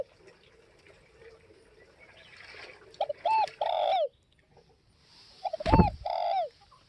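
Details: Tây Bắc spotted dove giving two cooing phrases about two and a half seconds apart, each a quick short coo and a long falling one, with a thud of handling noise under the second.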